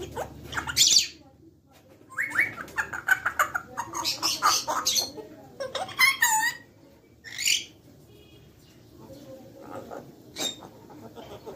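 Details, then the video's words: A friendly, talking grey parrot gives a run of varied whistles, squawks and speech-like chatter in bursts, with sharp high notes and a few quieter pauses. "So beautiful grey parrot | talking parrot"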